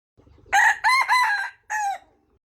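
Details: Wild red junglefowl crowing: a loud, harsh multi-part crow, two strained rising-falling phrases then a shorter final note after a brief gap, with faint low rumbling before it starts.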